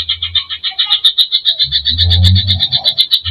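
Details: Provoking greater green leafbird song stuffed with filler phrases: an unbroken chain of sharp high notes, about four per second, over patches of low rumbling background noise.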